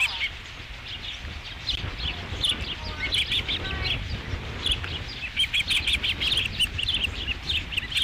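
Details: At the Dunrovin Ranch osprey nest, 5 July 2016, as the first fish comes in: softer, scattered high chirping over steady background noise, growing into clusters of rapid notes toward the end.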